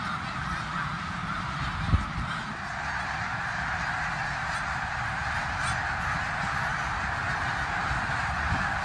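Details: Thousands of migrating snow geese in Bath, eastern Pennsylvania, on 19 January 2021 give a steady roaring din of overlapping high, nasal honks over a low rumble of wind.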